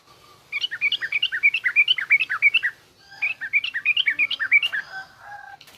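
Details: Yellow-vented bulbul song, garuda and rough ngriwik styles, played to train young bulbuls: two long runs of fast, rolling, liquid notes separated by a brief pause, with a faint extra tone near the end.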